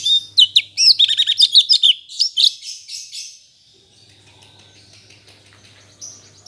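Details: After its moult, a black-headed bulbul relearning its song bursts into rapid, high, twittering notes for two seconds, trailing off into a few faint notes and a quiet low hum.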